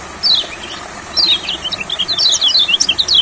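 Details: An olive-backed sunbird sings in a rice field, a rapid run of thin, very high notes that slide downward, twittering in quick bursts over a faint steady hiss.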